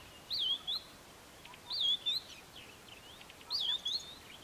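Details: A white-browed scrub robin at Kap River Nature Reserve near Port Alfred, April 2019, repeats a short whistled phrase about every 1.6 seconds, a rising-falling slur followed by a brief higher note, over faint background hiss.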